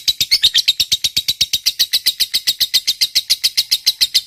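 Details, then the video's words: A fighter lovebird gives an unbroken ngekek chatter, a long trill meant to stir other lovebirds into answering. Sharp, high repeated notes come quickly and evenly, nearly four per second, throughout. "Suara Burung Lovebird Ngekek Panjang, PINTAR Memancing EMOSI, LB Bisu SUSAH BUNYI Langsung NYAUT"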